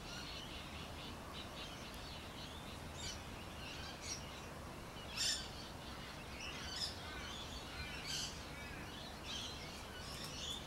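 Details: Rainbow lorikeets in backyard trees in the city of Adelaide, giving harsh, broadband screeches in scattered bursts, one louder shriek near the middle, over steady low urban background noise.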